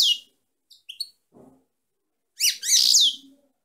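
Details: High twittering song of a female European goldfinch: a buzzy note, a few soft chips, then a longer bright chattering phrase with rasping elements, otherwise quiet.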